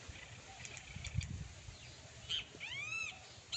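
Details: A pair of great kiskadees in nature: after a low rumbling start, two or three loud, harsh, arched calls rich in overtones come near the end, with a sharp note at the close.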